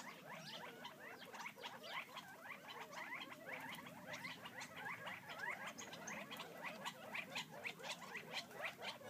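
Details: A flock of wild Gambel's quail feeding near Florence, Arizona, keeps up rapid chattering notes, about two a second, growing more rhythmic toward the end, over crisp ticking patter.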